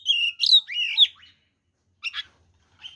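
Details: Oriental magpie-robin in fighting-mode song used to provoke other males: a few loud, rich whistled slurs rising and falling, then silence broken by two short chirpy notes.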